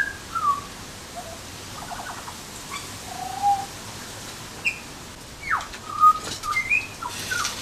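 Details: Butcherbird giving mellow piping whistles, each short and slurred, spaced irregularly at first and then bunching into quick rising and falling notes toward the end.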